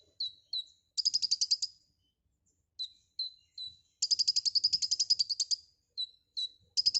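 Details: Konin (white-rumped shama) in lively full song with many filler phrases: short sharp high notes alternate with long fast buzzy trills of even pulses, some lasting over a second, and a soft low rustle underneath.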